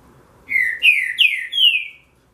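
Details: Relâmpago song of a green-winged saltator, used to warm up birds: four clear downslurred whistles in quick succession, rising slightly in starting pitch, ending on a long descending note, over a quiet background.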